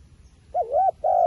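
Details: Wild pigeon: a wavering, rolling coo followed by a brief pause and a steadier drawn-out hoot, mid-pitched and clear.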